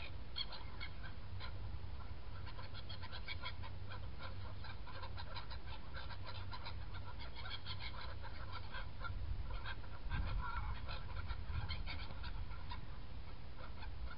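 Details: A feeding and flying flock of black-headed gulls on 21 January 2017 gives a constant overlapping chatter of short, harsh squawks over a steady low rumble of wind or distant traffic.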